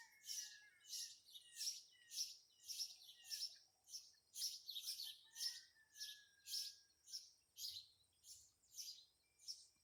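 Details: Loud calls from red-headed woodpeckers perched in a tree on the day they arrived: a steady series of rasping, broadband high notes, about one every half second for ten seconds, with thin whistles faintly behind.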